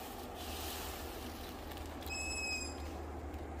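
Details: Young long-eared owl in a forest near a village at sunset, one of six or seven owlets squeaking nearby to tell parents where to bring mice: a single drawn-out, squeaky, slightly rasping begging whine over low rumble and hiss.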